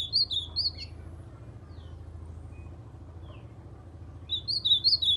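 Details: Captive white-throated seedeater imitating ultramarine grosbeak song: a burst of high, warbling whistles, a near-silent gap of about three seconds with a faint hum, then a second rippling whistled phrase.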